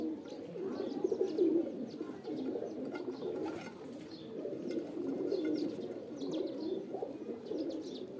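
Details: Kabutar cooing in uneven, overlapping bursts, one loud rolling phrase early on, then steady deep murmuring from several birds, with faint knocks.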